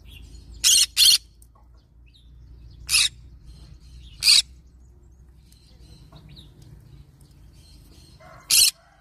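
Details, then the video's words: A yellow-sided green-cheeked conure parrot screeches in short, grating bursts: a quick double, then two single shrieks a second or so apart, and a last one after a long pause, over a soft low background hum. "Yellow sided Green cheek conure parrot sound"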